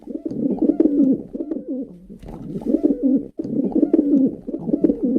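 A pigeon coos in low, throaty, rolling bursts, several warbling phrases run together with brief pauses between them.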